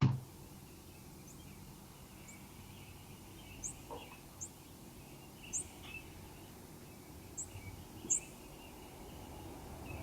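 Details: Vesper Sparrow nocturnal migration flight calls recorded from a rooftop microphone at a house during the morning chorus: thin, very high notes sweeping upward, repeated irregularly every second or two, over a low rumble and faint singing robins.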